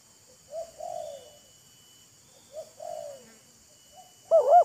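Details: Spotted dove exchange between a wild bird and a decoy: two softer, more distant coo phrases, then a loud close double looping note beginning a new phrase at the end.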